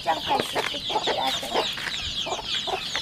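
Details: Rural home chickens, chicks aged 40 days: high-pitched wavering peeps run continuously while several short, lower clucking notes stand out roughly every quarter to half second.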